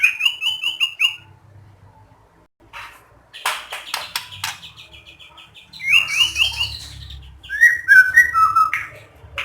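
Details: Singing white-rumped shama, a recording to trigger song in other shamas: a short phrase of repeated upslurred whistles, a gap with scattered clicks, then more rising whistled notes and twittering.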